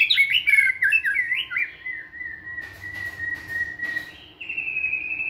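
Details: White-rumped shama singing vigorously in a training flight cage: quick tumbling whistles give way to a long, steady whistled note held for about two seconds, then a higher sustained whistle.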